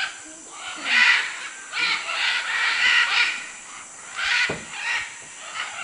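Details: Harsh, grating macaw squawks recorded in Manu, Peru, arriving in a few loud bursts separated by quieter stretches with faint background noise.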